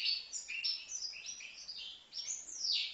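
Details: Young goldfinch aged five months, recorded at Livno, delivering an unbroken stream of quick high chirps and short trills that ends in a louder, rising buzzy note.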